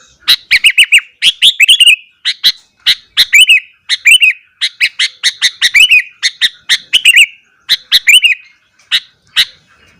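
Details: Morning song of a sooty-headed bulbul, sung fiercely to provoke other bulbuls. Ten seconds of continuous, bubbly chirped phrases in quick succession, thinning to spaced single notes at the end.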